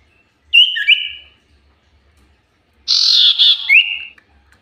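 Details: Common iora song used as a lure recording: a short phrase of bright whistled notes with a lower companion note, a silence, then a harsh rasping burst that runs into a steady high whistle.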